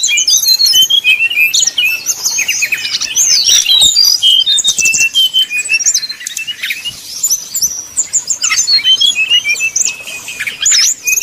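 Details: Brown-chested jungle flycatcher, 'nyuling' song used as a lure to make rival birds sing. Rapid high chirps and looping whistled slurs come in dense bursts, with brief pauses between clusters.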